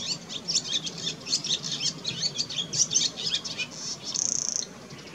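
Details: Wild barn swallow song, recorded around mating: rapid high twittering chatter of squeaky notes, ending in a dry, buzzy rattle near the close, then quiet background hiss.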